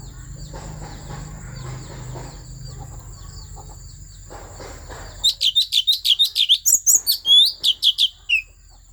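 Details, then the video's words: Asian fairy-bluebird from the Central Highlands forests, Vietnam, song used to stir up other birds: after five seconds of low rumbling background, a fast run of sharp, upslurred chirping notes, about five per second, with a faint steady high whine. "Tiếng Chim Thanh Tước Chuẩn rừng Tây Nguyên kích Lên Lửa"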